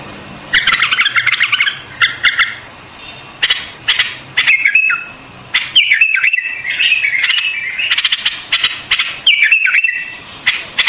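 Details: White-eared bulbul singing over about eleven seconds: harsh chattering notes at first, then a run of bubbly whistled phrases that dip and rise, separated by sharp clicks.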